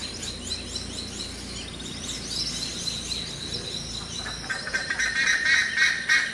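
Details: A pair of brown-throated parakeets in the morning at the lodge site of Hato El Cedral, Venezuela, give harsh, grating screeches growing louder toward the end, over a busy chorus of high chirping birds or insects.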